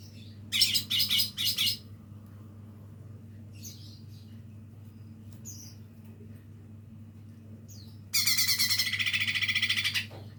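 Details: Lesser green leafbird youngster learning to sing: three short, loud, scratchy bursts, then faint scattered chips, then a longer dense buzzing rattle of about two seconds, with a constant low background hum.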